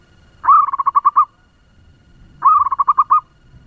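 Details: Two brisk phrases from a local decoy zebra dove prized for its fast voice, each opening with a rising note and running into a tight string of rhythmic, rolling coos, quiet background.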